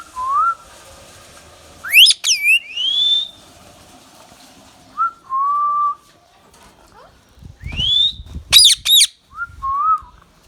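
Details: Young pet ringneck parrot indoors giving short harsh rising calls with bright harmonics, bursts near two seconds and a rapid triple burst near nine seconds, mixed with plain level whistles around one kilohertz-like mid pitch and a quiet room background.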